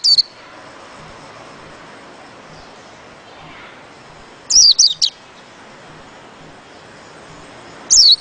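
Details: Sparse high chirping from a white-eye, with three brief clusters of thin descending notes spread over several seconds against a soft, steady background hiss.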